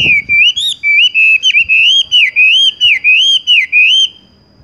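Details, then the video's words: Horsfield's bush lark (wambie) singing in the tung roll style, straight into rolling: a steady run of clear whistled notes, each rising and dipping, about four per second, with a faint thump at the start. "wambie tung roll gantung langsung ngerol"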